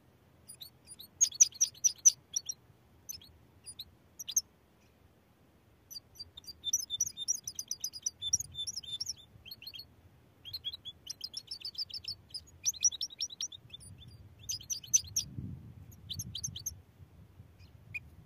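A goldfinch mule sings high, rapid twittering phrases with liquid trills, broken by short pauses.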